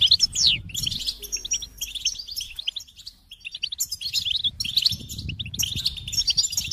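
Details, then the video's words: Goldfinch opens with a sharp descending note, then twittering phrases, a near-silent pause of about two seconds, and renewed rapid chirping song with low rustling. "Experience the Goldfinch Singing"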